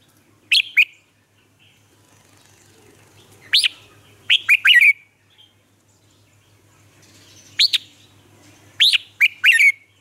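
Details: Red-whiskered bulbul lure singer from Vietnam, kept to tutor caged bulbuls and draw newly trapped birds into song: crisp, upslurred chirping notes in short clusters of two to four, with pauses of one to three seconds, faint low hum behind.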